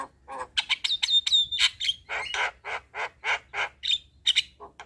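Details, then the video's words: Black-winged starling evening song for young birds to learn: a long level whistle among harsh notes, then a steady series of rasping calls about four per second, with brief high whistles mixed in. "Masteran Jalak Kebo Sore Hari Bikin Burung Jalak Muda Cepat Gacor"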